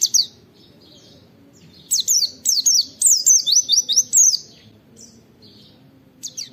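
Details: White-eye training song in the nembak wit-wit style: scattered thin high notes, then a dense run of about ten quick zigzag whistles in the middle, followed by faint quieter chirps.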